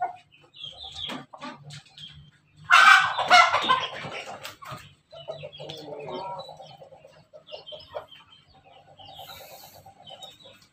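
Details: Pelung and Bangkok cross chickens at a Jogja breeding yard: a loud, harsh burst of crowing for about two seconds, then softer drawn-out calls and scattered chirps from other fowl.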